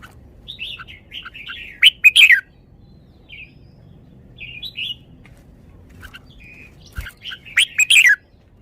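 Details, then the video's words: Caged red-whiskered bulbul singing phrase after phrase: warbled whistles building into loud bursts of quick, rich notes, with quieter slurred calls in the middle. "นกกรงหัวจุก จ้าวมาดี สำนวนดี"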